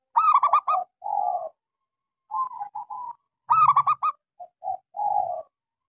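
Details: A local, small-voiced zebra dove gives its lure song, played to get silent doves calling: quick staccato bursts of ringing notes, each followed by low rolling coos, in two full phrases against clean quiet.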